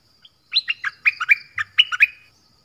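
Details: Song of the nok dok taeng, a Thai cage-bird, used to teach young birds: one fast run of about eight bright, slurred chirps, each swooping down in pitch, over a faint thin high hiss.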